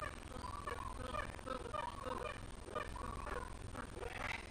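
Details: Flock of magpie geese perched in a tall mango tree in Oonoonba, Townsville, Far North Queensland, roosting and feeding in the morning. Many overlapping nasal honks and clucks form a continuous, busy chorus.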